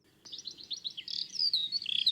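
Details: A Eurasian skylark that has just risen over fields beside a quiet country road, on a sunny, almost cloudless spring morning (Easter Tuesday), pours out a rapid, unbroken stream of high, liquid chirps and trills shifting in pitch, over a faint low rumble.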